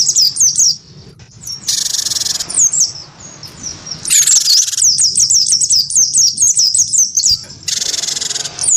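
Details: A wingko cinereous tit answers a white-eye with fighting-style song: clipped high whistles in bursts, alternating with broad buzzy rasps and brief quiet gaps.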